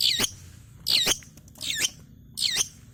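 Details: Long-tailed shrike learning to sing, kept as a lure for reluctant shrikes; four loud, rasping high phrases, each a quick downward-curving scratchy burst, spaced nearly a second apart against soft background rumble.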